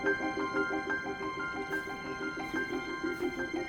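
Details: Instrumental music only, a bright plucked melody over a steady pulsing beat with soft cymbal-like washes, and no bird calls heard.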